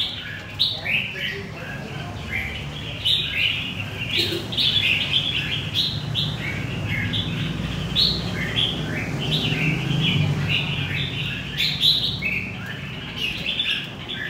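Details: A wild-caught red-whiskered bulbul from central Vietnam sings bright, liquid chirping phrases, repeated every second or so, over a low background rumble and faint voices.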